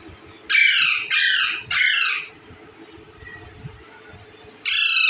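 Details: Indian ringneck parakeet eating bread gives three loud, harsh, rasping squawks in quick succession, each about half a second long, then a pause and a fourth squawk at the end; faint room hum behind.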